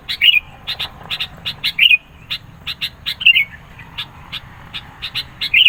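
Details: Sooty-headed bulbul singing persistently to challenge rivals and draw birds in: rapid high sharp ticks, often paired, interspersed with several brief bright warbled flourishes.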